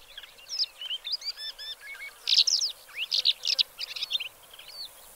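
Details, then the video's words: A black lark (Melanocorypha yeltoniensis) sings a fast, jumbled run of high chirps, stepped trills and short whistled slurs, with no pause between phrases and a faint hiss behind. "Как поёт чёрный жаворонок?"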